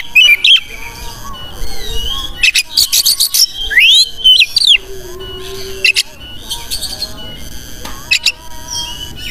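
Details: Oriental magpie-robin in varied song used to provoke other birds into display: scattered harsh buzzy chatters, sharp upswept and arched whistles, and a steady low whistled tone, with pauses between phrases.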